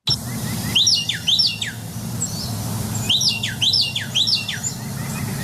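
Carolina Wren song: loud, rolling phrases of two or three bright, sweeping notes repeated quickly, like 'tea-kettle, tea-kettle', over a low steady hum.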